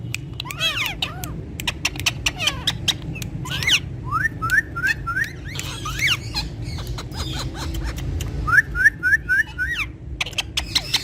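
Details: Indian ringneck parakeets that talk in Urdu and Hindi: scattered clicks and squawks, then two quick runs of five short rising whistles each, over a steady low drone.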